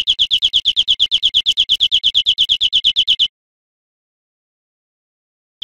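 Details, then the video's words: European greenfinch song on a training recording for cage birds: a fast, regular string of high chirping notes lasting about three seconds, then silence, with another note starting at the end. "Canto Verderon cd educador"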